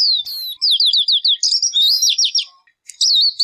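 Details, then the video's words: A short stretch of bright, wavering whistles turns into a quick rattling trill. A shrill note follows after a short gap. "Suab noog ncwb qua dib tuaj zoo tiag tiag"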